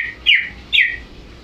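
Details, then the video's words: Greater green leafbird in full song: two loud, slurred whistled notes, each starting high and sliding downward, half a second apart, over a quiet background. "Burung Cucak ijo,Gacor"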